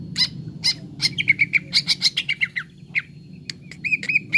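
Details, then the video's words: Leafbird (cucak ijo) recorded as therapy to bring birds quickly into full song: rapid bursts of sharp chirps and short whistled notes, some clustered, others rising and slurred near the end, over a steady low hum. "TERAPI CUCAK IJO BAHAN CEPAT GACOR"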